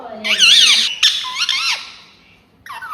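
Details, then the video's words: Talking pet ringneck parrot indoors making loud, high, wavering speech-like syllables in three quick phrases, then a pause and a short final burst. "Talking Parrot"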